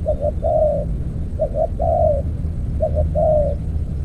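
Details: Spotted dove used in earthen-trap decoy trapping, cooing in three quick phrases, each a double short note then a long mellow falling coo, with constant low-pitched noise underneath.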